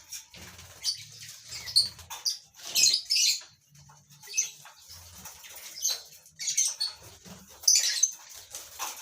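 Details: Lovebirds housed together for colony breeding produce repeated harsh, high screechy chirps in irregular clusters, with low muffled thuds and rustling between calls.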